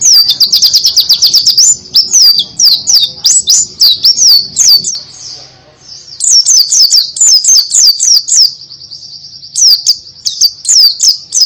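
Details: Buxton's white-eye delivering canary-style 'tembakan' song: long volleys of quick, piercing down-slurred whistles, a short lull, then more fast bursts and a sustained thin buzzy trill.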